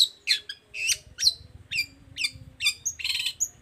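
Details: Singing long-tailed shrike, used to prompt reluctant birds to answer: separate high, bright chirps with downward sweeps, spaced about a third of a second apart, ending in a buzzy trill.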